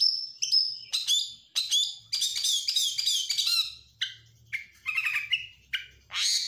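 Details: Stressed oriental magpie-robin song meant to provoke other birds, full of harsh rasps, buzzy chatter and high whistles in quick bursts separated by brief pauses.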